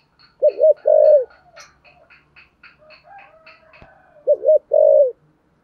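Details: Two low 'thúc gù' coo phrases from a Spotted dove in 'giọng thổ sấm' voice, each a quick double wobble plus a drawn-out note, separated by a run of thin chirps from other birds and a single sharp click.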